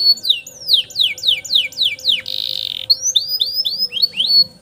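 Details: Canary singing a long-roll master song meant to tutor young canaries: a run of rapid descending whistled sweeps, a short dense buzzy roll, then slower repeated falling whistles, with a low steady hum behind.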